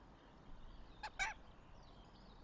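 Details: Northern goshawk at a nest in Tartu, Estonia, 26 April 2025, gives a quick double call, two clipped, raspy notes in rapid succession amid quiet woodland birdsong.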